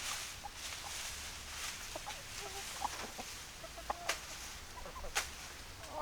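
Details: Hens clucking: short, scattered low clucks at an irregular rhythm, with a few sharper higher notes, against a steady hiss of background noise.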